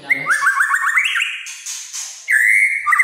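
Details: A white-rumped shama in full voice gives its kretekan song style, said to provoke other shamas: quick rising and falling whistled notes run into a trill, then a long steady whistle, over a hissy, echoing background.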